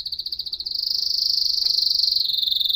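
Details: Canary song: a continuous very fast high trill, beginning as distinct pulses and merging into a smooth rolling buzz that drops slightly in pitch near the end.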